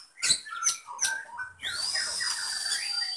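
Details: White-rumped shama from Medan, caged, mimicking lovebird, canary and cililin: three sharp clicking chirps about a third of a second apart, then a sustained high whistle over rolling warbled phrases.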